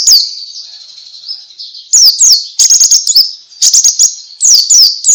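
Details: White-eye singing in the ngalas style, a recording meant to prompt other white-eyes to sing; very high, sharp chirps and slurred whistles in bursts after a faint, thin trilling opening.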